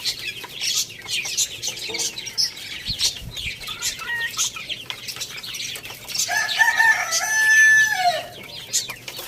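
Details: Rooster crowing loudly at Lalukhet bird market in Pakistan, kept among hens, chicks and budgies: a long drawn, harmonic crow rising then holding and falling near the end, over constant high twittering and chirping of many small caged birds.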